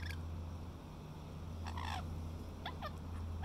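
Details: Rainbow lorikeets (Trichoglossus moluccanus) chatter to each other while eating grapes at Little Manly, Sydney, Australia, giving a few short, squeaky, rising-and-falling notes in quick bursts over a steady low background hum.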